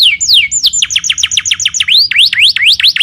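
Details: Canary in full song used as a lure to make another canary answer: loud high descending whistled notes repeated rapidly, then quick rising-falling V-shaped syllables, with a faint low hum beneath.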